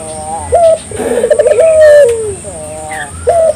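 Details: Local collared dove cooing as a lure to make other doves answer: a low cooing phrase with a wavering middle and a long falling tone, framed by short coo notes, over a steady high background hiss.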